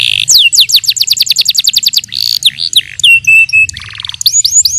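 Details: Yellow canary training song: fast trills of steeply falling whistled notes, some buzzy bursts, a run of flat, even notes, then rising upslurred whistles, with a faint low hum underneath.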